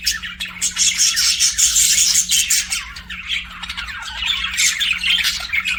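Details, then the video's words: Several pet budgerigars chatter in a busy stream of squawks and fast chirps, with high whistled notes around the middle, the warbling rising and falling without pause above a faint hum. "BUDGIES SINGING AND CHIRPING"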